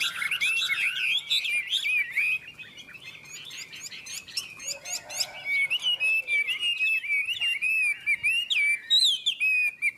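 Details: Chinese hwamei singing against a rival in a song contest between two birds; a fast, continuous stream of varied chattering and whistled notes, dense at first then broken into rapid clipped bursts.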